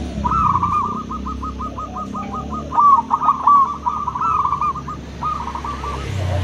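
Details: Local and crossbred zebra doves calling back and forth: a long even string of quick clipped coos, then louder rolling phrases, over a steady low hum.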